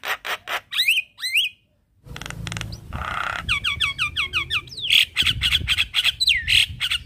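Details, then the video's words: Javan myna song played as a morning lure for training a bird that has stopped singing: harsh broadband squawks, rapid chattering bursts and sliding whistled notes, with a short gap of silence near the start. "Burung Jalak Macet Bunyi Wajib Rutin Kasi pancingan Suara Jalak Kebo Tiap Pagi"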